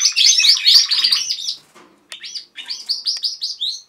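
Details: Several canaries singing together indoors at home: a dense burst of trilled, warbling notes, a brief pause, then a run of clear repeated rising whistles at an even pace.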